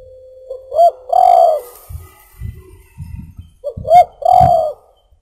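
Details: Spotted dove (tekukur) song for luring birds: two short rising-falling coos followed by a longer drawn-out coo, repeated twice, with soft low thumping between phrases.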